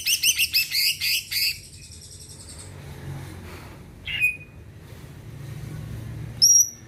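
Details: Greater green leafbird, a caged songbird kept to make other birds sing, opening with a fast rasping rattle, then a single downslurred whistle and a thin high note after a pause.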